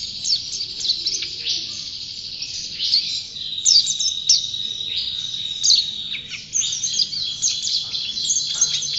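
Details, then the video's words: Prolonged high-pitched warbling from a champion white-eye: sustained thin whistles mixed with rapid twitters and sharp upward flicks, flowing almost without pause. "Burung Pleci Juara Gacor"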